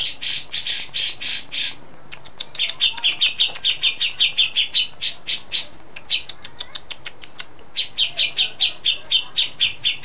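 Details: Long-shot song of a settled, prolific cucak jenggot (grey-cheeked bulbul) with besetan, lovebird, sparrow and cililin fill-ins: a bright very high burst, then slightly lower rhythmic chirp series broken by short gaps and thin ticking notes.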